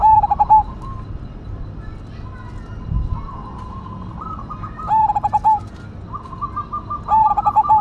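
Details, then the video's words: Zebra dove of the black cemani Majapahit line, kept as a singing bird, singing freely with a big voice: loud pulsed coo phrases near the start and again later, with fainter higher coos from other doves and a low background rumble. "PERKUTUT CEMANI MAJAPAHIT GACOR SUARA BESAR"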